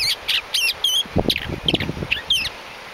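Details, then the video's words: Galapagos mockingbird from Genovesa island in the Galapagos giving a run of sharp, high whistled and slurred notes in quick bursts, with some low rumbling background noise. "Galapagos mockingbird singing its heart out"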